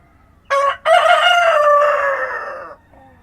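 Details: Rooster crowing at dawn on a farm: one full cock-a-doodle-doo with a short opening burst, a brief break, then a long rasping note sliding gently downward before stopping.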